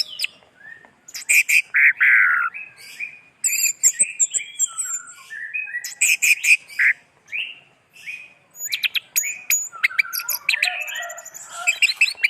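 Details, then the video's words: Varied, energetic orange-headed thrush song: dense bursts of chattering chirps and whistles, some harsher notes mixed in, phrases following one another with short pauses. "Anis Merah"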